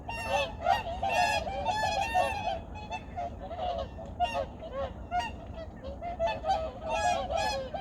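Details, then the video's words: Migratory birds calling in early morning at Junam Reservoir, Changwon, South Korea, in 2019: a dense chorus of loud, nasal honks overlapping continuously from many birds, with a steady low rumble of background noise. "창원 주남저수지 철새소리(The sound of migratory birds in Changwon's Junam Reservoir)"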